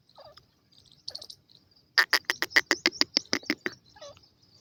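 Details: Perched on its cage, a pet francolin calls to other birds with a steady run of about ten harsh, evenly spaced notes, with soft chirps before and after.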